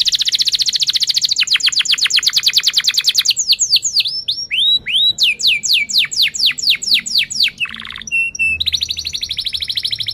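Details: Canary singing loudly in sharp chirps and rolls, a lure to teach young canaries to sing: fast high trills, then repeated downward-sweeping notes, a brief low buzz, steady whistles and another trill.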